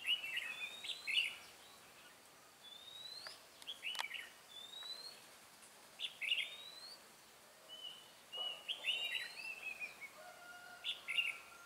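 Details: Red-whiskered bulbul used as a decoy to lure and fight wild birds during trapping on 18 March 2017, in humid weather; short whistled phrases with rising slides and chattery bursts, spaced a few seconds apart, possibly more than one bird.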